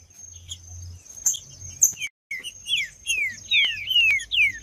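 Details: Green-winged saltator male singing in fighting mode: after a quiet start with clicks, a clear run of loud descending slurred whistles, about two per second.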